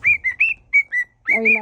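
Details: Pet cockatiel whistling a mash-up of songs: five short clear whistles at an even pitch, then a person's voice joins.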